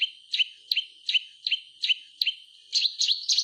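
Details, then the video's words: Lively white-rumped shama singing as a prompt for quiet birds: short bright chirps repeated at a steady pace about three times per second, becoming quicker and higher at the end. "SUARA BURUNG MURAY TERGACOR COCOK UNTUK PANCINGAN MASTERAN"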